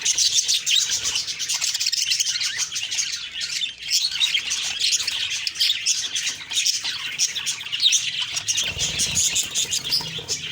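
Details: Budgerigar flock noise on the morning of October 2, 2023: harsh squawks and fast high chirps run continuously, with a soft low rumble near the end.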